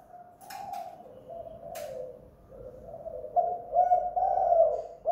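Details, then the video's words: Spotted dove, called tekukur or derkuku, recorded at home, giving a pikat lure call in the two-kuk hanging guk style: mid-pitched hoarse coos run together and unevenly spaced, with a few sharp clicks early on. "PIKAT 2 KUK/ GUK GANTUNG tekukur/derkuku GACOR DI RUMAH"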